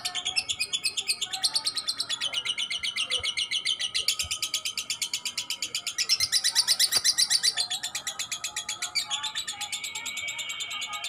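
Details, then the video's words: Young (balibu) lovebird singing vigorously with long ngekek chattering: an unbroken, rapid, machine-gun series of shrill, buzzy notes, about six per second, over eleven seconds, with slight rises and dips in intensity. "TERAPI SUARA LOVE BIRD BALIBU GACOR NGEKEK PANJANG"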